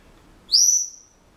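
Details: Senegal parrot kept as a pet produces a single sharp, pure whistle, rising quickly then held briefly and tapering off, with a quiet room behind.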